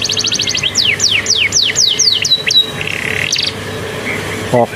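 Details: Canary taught Bar-winged prinia song, singing while sunning after a bath: rapid buzzy ticking burst, then a series of loud descending whistled notes, a level whistle and a short rattle, over steady background hum.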